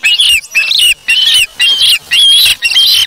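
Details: Osprey chick on its nest, August 3, 2017, after grabbing a fish from a parent; short bursts of shrill, slightly wavering whistled squeals, about two per second, separated by brief gaps.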